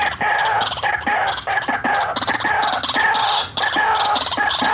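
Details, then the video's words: White-breasted waterhen giving a "ngekek ngeroll" lure call. Raucous, continuous croaking with a nasal, grating tone and irregular brief breaks. "RUAK RUAK GACORAN FULL NGEKEK NGEROLLL"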